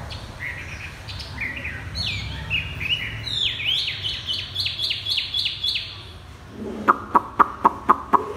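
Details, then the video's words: Chinese hwamei, kept caged, singing "thắt cổ chai" style: stepped whistled notes build into a fast, regular series of short downslurred whistles, then about six loud, evenly spaced clicks. "Chim hoạ mi đặt đất hót thắt cổ chai thắt cổ chai"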